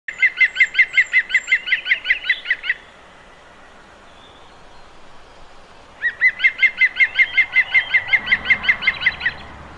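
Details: European green woodpecker (Picus viridis) song: two loud laughing series of about fifteen fast, even, ringing 'klu' notes with a quiet pause between, and a faint low rumble near the end.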